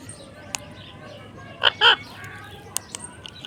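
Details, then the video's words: Parrot calling in its natural voice: two short, loud, harsh bursts rich in harmonics close together, with a few faint clicks and a quiet background. "parrot netural voice"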